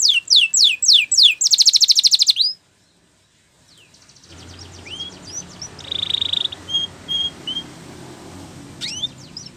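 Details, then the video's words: Spanish Timbrado canary training song opening with quick rising whistled notes and a buzzy trill, then cutting to silence and a quieter stretch with scattered faint chirps and a short buzz over low background hum. "Your Canary Will Sing Immediately"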